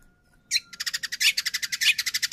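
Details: White-rumped shama song used as a lure to provoke another shama into singing: a brief opening note, then a fast train of about fifteen clicking, rattling pulses, evenly spaced and sharp.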